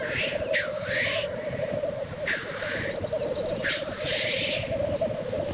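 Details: Lekking black grouse at the lek: a continuous low, cooing bubble underlies three loud, broad hissing sneezes, each lasting about half a second and spaced roughly one and a half seconds apart.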